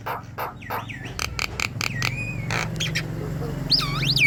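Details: Javan myna in chattering 'gacor' song meant to draw song from other mynas: scattered harsh rasping notes and a few sliding whistles ending in a loud looping whistle, over a steady low droning hum.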